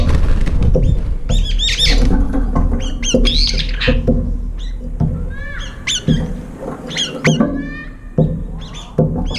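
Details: Competing brown-eared bulbuls empty a feeding bowl quickly, fighting between bites; loud, grating squawks and shrill squeals tumble over one another almost continuously, fading slightly toward the end.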